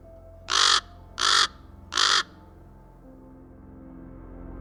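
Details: Common Raven in Canada, an intelligent and adaptable species: three harsh, hoarse croaks given in quick succession about two-thirds of a second apart, then quiet with a faint steady low background tone.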